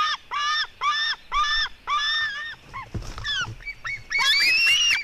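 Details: Fighting white-tailed eagle eaglets, a sister and her brother, at 16:09: a string of harmonic squealing notes, bending downward midway, then a higher, strained, rising scream, with a brief knock.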